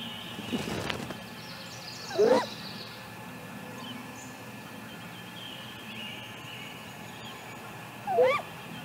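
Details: Female great grey owl calling near a nest camera in Mission Valley after leaving the nest, 7:55 am on May 6: two short rising, wavering calls about six seconds apart over a steady background hum.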